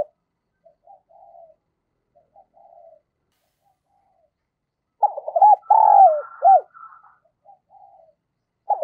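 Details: Spotted dove kept as a decoy, cooing to attract and provoke wild doves: low, soft murmured coos, then a burst of loud, looping coo notes and a further coo at the close.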